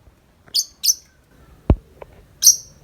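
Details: Tame lovebird outside the cage in long 'ngetik' chatter. Three sharp, high chirps, with a dull knock between them.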